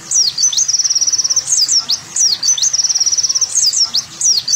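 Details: Masteran song of an olive-backed sunbird, locally kowul or kolibri wulung: very high slurred whistles alternate with rapid buzzy trills, the phrase repeating about twice in under five seconds.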